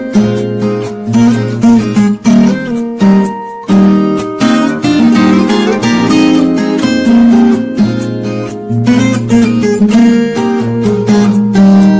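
Strummed and plucked acoustic guitar music plays throughout, with no animal sounds heard.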